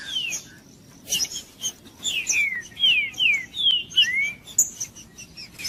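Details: Green-winged saltator in 'macheando' song, used to warm up another bird: after a quiet start, loud whistled slurs come in quick succession, most gliding down, one sweeping upward near the end, with a few sharp clicks.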